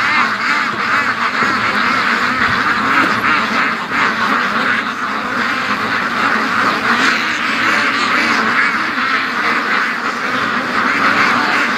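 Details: Hundreds of free-range ducks, part of a flock of 650+, hurrying to the lake or back home in 2014. Steady overlapping quacking, coarse and nasal, under heavy wind rush throughout.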